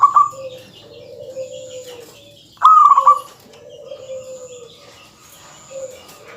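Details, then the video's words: Local zebra dove singing to provoke rival males: two loud, slightly falling cooing trills with pulsed ends, between longer, softer, level hums at a lower pitch, over a faint steady high whine. "suara kutut yang bikin emosi lawan perkutut lokal gacor suara padat menggoda lawan"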